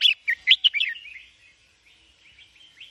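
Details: Sooty-headed bulbul, white-crested, giving a quick burst of bright, bubbly chirped notes in the first second, then trailing off into faint, soft warbling phrases against a quiet background.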